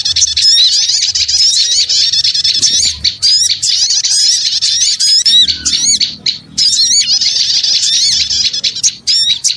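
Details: Busy small-bird racket meant for luring, with crowded high chirps, sharp rising squeaks and rapid twitters running almost nonstop, dipping briefly after six seconds.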